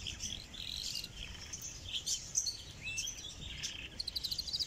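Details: Canary recorded close up in North Rhine-Westphalia, Germany: a continuous high twittering song of varied chirps and trills, ending in a fast repeated rattle, over faint low background hum.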